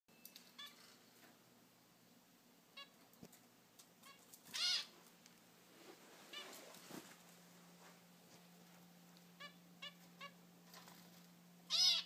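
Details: Zebra finch fledglings, three young just out of the nest and flying on their own, kept indoors; scattered short nasal stacked calls and brief chirps, a few louder harsh bursts near 4.7 and 12 seconds, steady low hum throughout.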